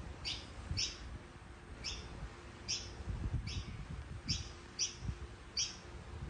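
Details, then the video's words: Mutant red-whiskered bulbul with platinum pied plumage, giving short sharp downslurred chirps repeated about every half to one second, eight notes in all, over a low rumbling background noise. "Chim chào mào đột biến bông bạch kim"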